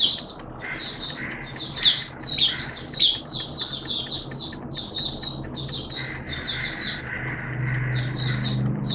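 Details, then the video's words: Oriental white-eye, a kept songbird, in open song on 11 September 2022 amid wet, erratic weather: continuous thin high twitters and chirps, somewhat softer, over a steady low hum and rumble. "Mata Puteh T-Rex Buka Sing"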